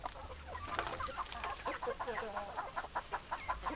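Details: Hens clucking in a flock, a steady run of short nasal clucks and soft croaky notes repeating about every third of a second over low background rumble.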